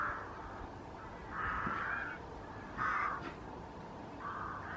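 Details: Unringed lesser white-fronted goose of unknown origin, WWT Slimbridge, 16 October 2023, giving three or four separate nasal yelps spaced over a second apart, quieter and with light low rumble and a soft click between calls.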